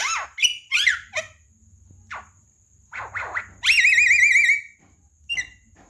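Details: Javan myna training song for talking birds: scattered squeaky slurred notes and harsh bursts, then a loud rapidly warbling trill held for about a second, followed by a short squeak.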